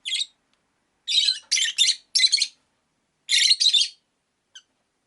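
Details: Rosy-faced lovebirds, five caged by a window, calling indoors: loud harsh broadband chirps in short bursts, one near the start then clustered triplets and pairs, with a faint click at the end.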